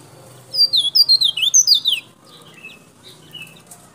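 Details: Local white-breasted white-eye from Baubau, Buton, Sulawesi, played to lure wild birds. A rapid run of about ten bright, high, down-slurred whistled notes lasts a second and a half, then softer scattered chips follow.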